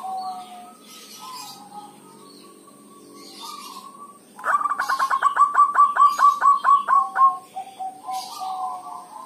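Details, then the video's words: Zebra dove from Java, Indonesia, local perkutut giving dhuduk and kerot calls used as a lure: soft whistled notes, then a fast run of about fifteen evenly spaced pulsed coos, then more soft notes; faint high hiss throughout. "Terapi singkat perkutut dhuduk dan kerot, sangat ampuh untuk pancingan"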